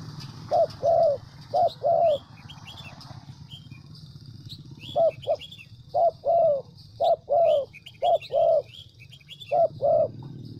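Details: Spotted dove used as a decoy in Vietnam's Central Highlands repeats pairs of mellow coos in bursts separated by a silent stretch, over heavy low droning noise and faint high-pitched bird twitters.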